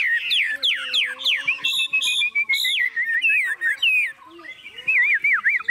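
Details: Fearless caged Chinese hwamei, its cage hand-carried and shaken, sings rich clear whistles, rising slurs and repeated short notes, ending with looping wavy whistled phrases.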